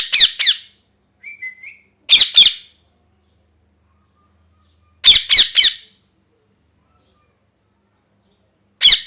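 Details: Pet parrot, molting, calling indoors: loud, harsh, rasping screeches in quick bursts of two or three, repeated every few seconds, with a soft, short whistled note between the first bursts.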